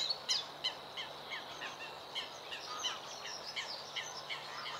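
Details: A Bluethroat sings early in the morning: a rapid, varied string of high, sharp chirps and tinkling notes, about three a second, over a faint steady background hum.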